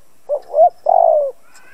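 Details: Cooing decoy spotted dove meant to excite other doves to call: a brief soft note, a rising mid note and a long wavering coo sliding downward. A faint high whistle follows.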